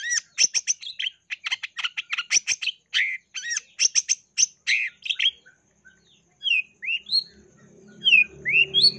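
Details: Mimicry-rich song of a long-tailed shrike, played to provoke other shrikes into song: rapid burst of varied chirps and harsh notes for five seconds, then sparse rising whistled slurs over a soft low hum.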